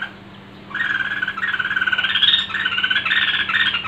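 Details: Red-whiskered bulbul, fired up and singing competitively after bathing, gives bright warbled phrases that rise and fall, delivered in quick bursts after a short quiet start, with a steady low hum behind.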